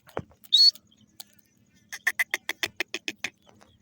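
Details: Grey francolin, locally called Sindhi teetar: one short high note, then a quick series of about ten clipped, harsh pulses, evenly spaced and steady in loudness.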